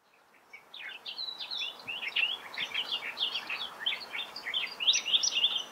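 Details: Several Australian reed warblers sing together at Laratinga Wetlands, South Australia, on 9 January 2021: dense, overlapping chattering phrases of sharp, rich notes, repeated quickly and unevenly. A superb fairywren also chips in over a soft background hiss.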